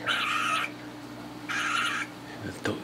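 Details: A 5-month-old male cockatiel eating pasta gives two harsh, raspy, hissing bursts while taking food, each about half a second long.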